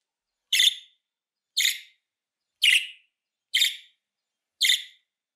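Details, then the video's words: Repeated budgerigar contact calls for calling back a fled pet bird: five brief, bright, rasping chirps at about one-second intervals on a silent background. "Muhabbet Kuşu Çağırma Sesi, Kaçan Kuşunuza dinletin geri gelsin"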